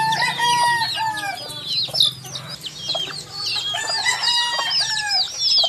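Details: Many chicks peep together in dense, high, arched notes. Several steadier, lower whistled tones with harmonics run through the chorus, and a low hum sits in the background.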